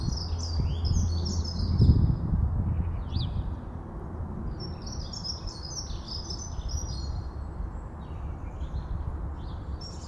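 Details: House sparrows eating peanuts give quick, bright chirps, about two a second and loosely spaced, over a steady low rumble of wind or distant traffic, with dunnock song also included.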